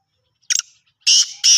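A black francolin gives three loud, harsh, grating notes: a short rasp, then two longer scratchy bursts in quick succession. No other sounds are heard.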